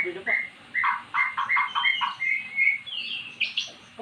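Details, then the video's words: Formerly silent magpie-robin singing after being lured with recorded song: short repeated whistled notes in a quick series, then higher rising whistles, over a low background hum. "Burung Murai jadi GACOR setelah dengar kicauan di YOUTUBE"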